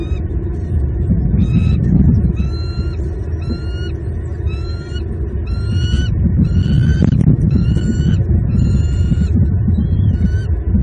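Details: A wild bald eagle pair calls at their nest in Southwest Florida on 24 November 2021, during egg incubation, recorded by a nest cam. Thin, rising whistled notes repeat about every second over a loud, low wind rumble.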